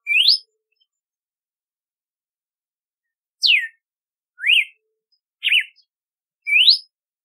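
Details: A red-cowled cardinal opens with a rising whistle, pauses about three seconds, then gives a falling slur, a peaked note, a zigzag and another rising whistle, each about a second apart.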